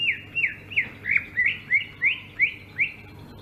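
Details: Rolling ngerol song of a Sumatran greater green leafbird: nine evenly spaced downward-swooping whistles, about three per second, bright and clear above a faint low hum.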